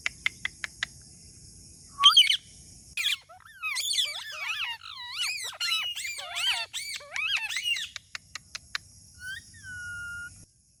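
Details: Talking parrot: a few sharp clicks, then about six seconds of wavering, squeaky, bending whistled notes in quick succession, more clicks, and a final drawn-out whistle that slides downward.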